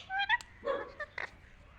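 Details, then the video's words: A talking parrot gives a short burst of voice-like, harmonic squawks and syllables, with a few separate notes spaced over under two seconds. "talking parrot"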